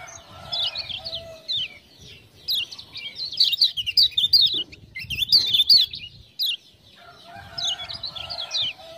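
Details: Kecial kuning, the Lemon-bellied white-eye of Lombok, singing steadily after ciak-ciak prompting sounds; quick high warbled chirps in tight clusters, a fuller burst around the middle, softer lower tones underneath.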